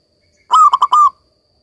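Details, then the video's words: Local zebra dove singing for song therapy: a single clear phrase of one drawn coo, two quick pulses and a final longer coo, all under a second. "perkutut lokal gacor ini cocok buat terapi perkutut kalian yang lagi macet bunyi agar kembali gacor"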